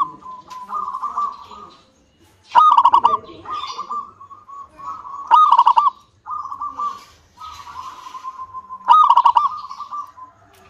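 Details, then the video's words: Local zebra dove used to prompt other doves to sing: runs of quick pulsed trills with sharp loud accents, spaced into phrases roughly every three seconds, with faint background chatter. "PANCINGAN PERKUTUT LOKAL SUPER GACOR UNTUK PANCINGAN PERKUTUT AGAR CEPAT BUNYI"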